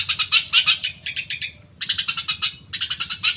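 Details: Long-tailed shrike stimulus song for caged birds: bursts of rapid, harsh chattering notes in quick runs separated by brief pauses.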